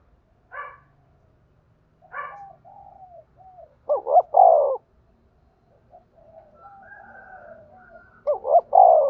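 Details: Spotted dove decoy calling to lure wild doves into a trap; two brief harsh notes, soft murmuring coos, then two loud phrases of clipped double notes ending in a long sliding coo.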